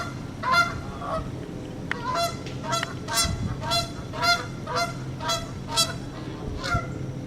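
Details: Two Canada geese on September 24, 2015 at 9:15 am: the male gives loud, nasal two-note honks, about two a second in an uneven series, communicating with the female as he prods her, over a steady low rumble.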